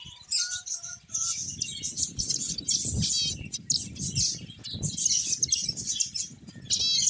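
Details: Finches chatter with a lively run of high, sharp chirps and fast trills; a few brief steady tones show at the start, with light flapping and thumps below.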